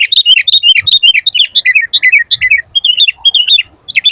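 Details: Energetic gacor song of a sooty-headed bulbul (kutilang), full isian style: a dense unbroken chatter of quick slurred whistles and chirps, rising and falling, with a brief pause near the end.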